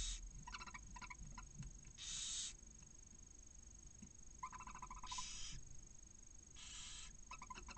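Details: Inside a barn owl nest in Cabañeros National Park, a male arrives with a mouse and tries to copulate beside a chick hatched a couple of hours earlier. Harsh, breathy hisses of about half a second come three times between quick series of ticking clicks.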